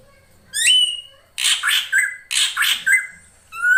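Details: Female drongo call meant to lure the male: a rising whistle, then two pairs of harsh rasping notes each ending in a short whistle, and a final clear whistle.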